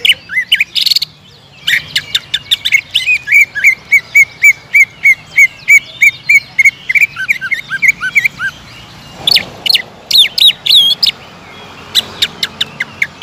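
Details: Energetic greater green leafbird singing, recorded to stir other birds into continuous song. Opening chatter gives way to a long rapid string of repeated whistled notes, then sharp varied high phrases.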